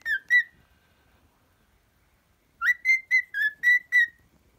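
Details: Singing pet cockatiel gives two bright whistles, falls silent for about two seconds, then delivers a rapid run of six clipped whistled notes, each slightly different in pitch.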